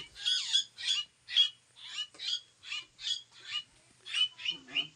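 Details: Kept koleto housed with pet crows: evenly spaced rasping squawk bursts, roughly two per second, each harsh and broadband, and a lower nasal note at the end.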